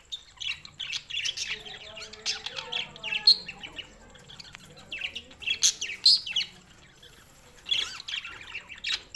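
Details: Budgerigars recorded June 7, 2024, tagged Larkana, Sindh: busy high warbling chatter of several birds, quick chirps and scratchy trills in bursts, with brief sharp squeaks and a faint steady high whine underneath.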